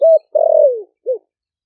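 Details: Caged spotted dove from Ninh Thuận, caught wild four months earlier, cooing in the 'thổ đặc' deep style to summon wild doves: a level hoot, a long throaty coo gliding downward, and a soft short final note.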